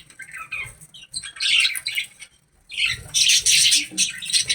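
Budgerigar chatter, bursts of scratchy, high warbles and squawks with brief pauses between.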